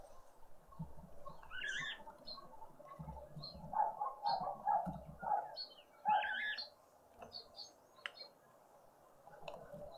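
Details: Green woodhoopoe family group at breakfast by a feeder in a suburban garden in Pretoria, South Africa, on a spring Sunday morning. Bursts of harsh, nasal chattering build mid-clip between brief pauses, with high thin chirps from other birds and low rumbling noise.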